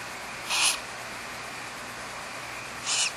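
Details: ['At Starr Ranch Sanctuary in Trabuco Canyon, California, a Barn owl pair raises four or five chicks in an old eucalyptus tree cavity. Two short, fairly soft breathy hisses about two and a half seconds apart over quiet background hiss.']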